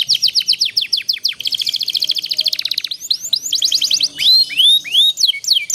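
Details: Canary master song played for young canaries learning to sing, aiming for long rolling trills: fast buzzy trills of rapid repeated notes, then a dense rolling trill, ending in clear rising whistled upslurs.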